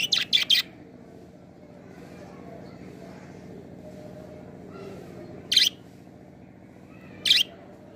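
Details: A budgerigar, a pet bird, gives a quick cluster of three high chirps, then falls quiet before two more single sharp chirps; a steady low hum runs throughout.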